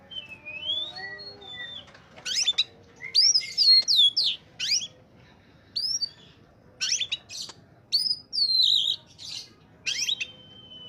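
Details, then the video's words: Oriental magpie-robin in top singing form, used as a lure for untrained birds: opening soft descending whistles, then dense bursts of rich warbled and scratchy notes repeated in quick groups, ending on a drawn-out whistle. "suara burung Kacer saat sedang on fire!!!! pancingan burung bakalan/ pikatan"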